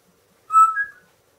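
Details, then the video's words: Pet talking parrot, a female kept indoors that mimics speech, barking and howling, gives one short clear whistle that rises slightly and then falls away, lasting about half a second in a quiet room. "the talking parrot, talking, singing, dancing, yawning, barking, howling"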